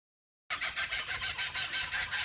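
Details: A Laughing Kookaburra family in an Australian backyard: one breaks into a harsh, rapid cackle of about six rough notes a second, a steady rolling chortle after a moment of silence. Usually one starts and at least one more joins.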